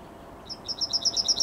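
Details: Yellowhammer morning song, 9 May 2021: a fast, even run of about nine high, dry chips, roughly ten per second, getting louder; the drawn-out closing note is not heard.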